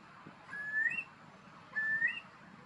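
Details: Eurasian curlew in Deggendorf district, Lower Bavaria, Germany, gives two clear whistled calls about a second apart, each a level note sliding up at the end, over faint background hiss.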